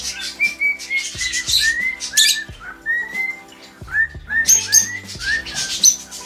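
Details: Pet cockatiel song in a home: repeated short upward-curving whistles, roughly two per second, broken by noisy scratchy bursts and clicks, with a constant low hum underneath.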